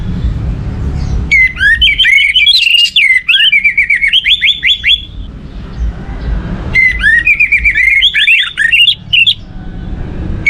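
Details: Orange-headed thrush song, played to stimulate other birds to sing: two bursts of rich, varied whistled phrases with rapid rising and falling notes and trills, separated by a short pause, with low background rumble.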